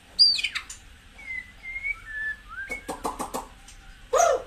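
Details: White-rumped shama song, played to get caged birds fired up: a falling whistle, smooth level whistled notes, a rapid clicking burst and a final sharp call.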